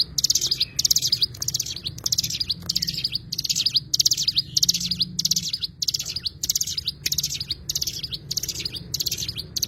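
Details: Rapid, high-pitched chirping phrases from an Oriental white-eye (cigun), one burst roughly every half second across the whole stretch, with a faint low drone behind.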